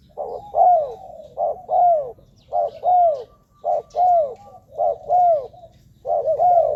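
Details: Spotted dove decoy calling for attracting wild doves. Evenly spaced couplets of a brief note and a drawn-out, downward-curving coo repeat about every second in a steady rhythm.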